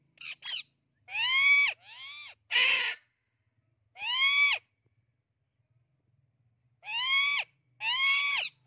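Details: Screaming Amazon parrot giving raucous, strongly harmonic squawks that rise and drop, some paired closely and others spaced a few seconds apart, with a quiet gap mid-sequence and a clean background.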